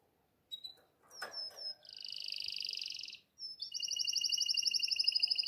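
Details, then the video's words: Canary in breeding condition calling the female: thin high whistles and a brief sputter, then a sustained harsh buzzy note, then a long bright rolling trill of rapid repeated pulses. "KANARINA GARDALINA CANING CANARY | CANZONE DEI CANARINI"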